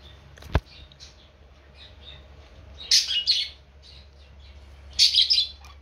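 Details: A happy pet budgerigar (Melopsittacus undulatus) gives two short bursts of scratchy, chattering warble, with a sharp click near the start.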